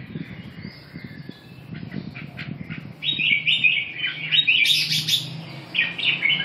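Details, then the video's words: Red-whiskered bulbul song beginning after a quiet low rumble, then a run of rich, rapid warbled notes with a few brighter upswept accents toward the end. "Kênh về chim Chào mào"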